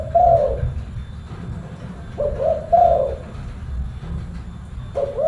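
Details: Spotted dove with a deep, full-bass voice, giving low mellow cooing phrases: one short coo at the start, a two-part rolling phrase midway, and another starting at the end, over a steady low rumble of background noise.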